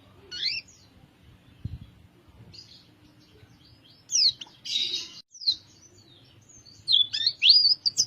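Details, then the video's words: White-eye of the dakun type from Kintamani, Bali, giving scattered bursts of high, thin whistled and chirping phrases with short silences between them. A faint low hum sits in the background. "suara kicau burung pleci dakun bali kintamani"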